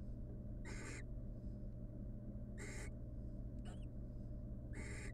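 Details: Wild female barn owl courting the male at their nest box during incubation. Three raspy, hissing screeches come about two seconds apart, with a brief squeaky note between the last two, over a constant low electrical hum.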